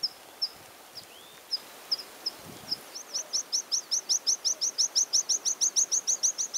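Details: A water pipit in spring plumage gives its spring song: high, thin notes spaced out at first, then a fast, even run of bright chirps, about four a second.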